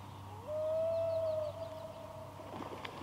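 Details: Common loon on a pond during a mated pair's confrontation with an intruding rogue loon, recorded from a kayak near their chick. A single long, clear, whistled note that rises briefly and is held for about a second, then fades. A low hum persists.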